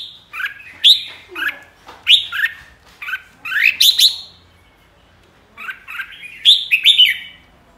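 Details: A flock-leading red-whiskered bulbul sings loud, bubbly whistled phrases, rising and falling, in bursts about every half second, with a short pause midway. Nothing else is heard.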